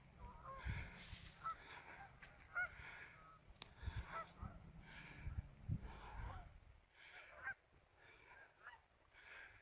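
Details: Geese on a river on an afternoon scouting trip, giving a series of short nasal honks in loose bursts, several calls overlapping, with low rumbling background noise throughout.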